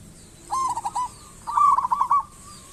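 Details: Singing local zebra dove, used as a lure to make other doves sing: a short soft coo phrase, then a longer stuttering, bubbling run of notes.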